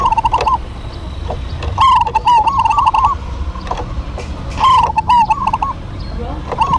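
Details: Local zebra doves singing a lively duet: bursts of quick, warbling, slightly trilled coos on one pitch, in four phrases across seven seconds, with sharp clicks and a low background hum.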